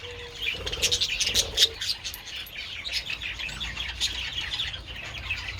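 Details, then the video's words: Several budgerigars enjoying treats in the sun on 27 February: a dense stream of rapid high chirps and warbling twitters, about four per second, with a brief low steady hum near the start. "Adorable budgies enjoying treats in the sun"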